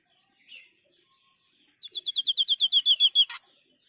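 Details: A sniper babbler (white-breasted babbler, Stachyris grammiceps) gives a fast, even burst of about thirteen sharp, high notes, sliding slightly lower over a second and a half, ending in a brief click.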